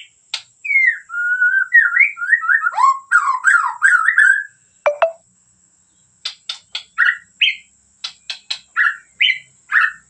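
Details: Singing white-rumped shama from Medan: a long varied run of whistled, slurred notes and rapid trills lasting over four seconds, then a series of sharp clicks alternating with short rising whistles; a faint constant high tone persists.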